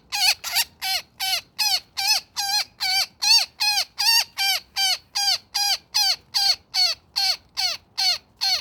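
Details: Netted woodpecker calling in distress: a long run of strident, buzzy squawks, each sliding downward, repeated evenly at roughly two and a half per second with little other sound.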